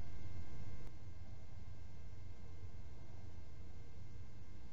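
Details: Steady low hum and faint hiss fill a quiet indoor space, with a brief click near the start and no animal calls.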